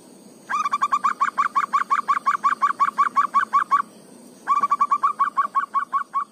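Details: Local zebra dove singing energetically in ngayer and negel style, natural audio used to stir a lazy bird to sing: a fast series of about seventeen hooked coos, a short break, then another quick burst of similar notes.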